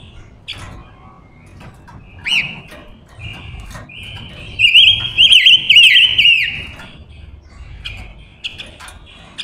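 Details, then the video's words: Decoy female silver-eared mesia luring wild males: a few soft whistles build into a loud, sustained high whistle laced with rapid wavering trills for about two seconds, then fade to faint notes. "Ngũ sắc hót mồi gọi bổi"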